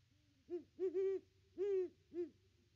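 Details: Deep, resonant hooting from a great horned owl watching around its nest tree, caught by a nest camera on 25 December 2021. Five hoots: one short, a close-linked double, then two fuller notes, in still surroundings.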